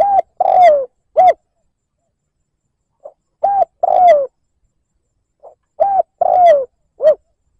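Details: Spotted dove used as a lure, cooing in the liêu lỡ style to incite wild doves: several phrases of short coo, longer descending coo and short closing coo, each led by a faint pip.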